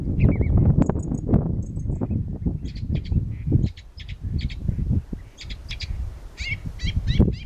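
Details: Eurasian reed warbler singing at dusk, about 8 pm, by Blakeney Freshes on 2 April 2013: short clusters of quick, high chattering notes in uneven bursts over steady low wind rumble.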